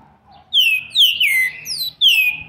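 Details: Green-winged saltator youngster of seven months and 20 days, recorded 13/11/2020, delivering loud, pure whistled notes that each drop steeply in pitch, four strong phrases in quick succession with brief gaps, background otherwise quiet.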